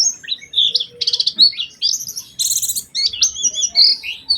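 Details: White-eye singing a varied lure song with special phrasing: high whistled notes mixed with rapid buzzy trills and chattering bursts, separated by short gaps.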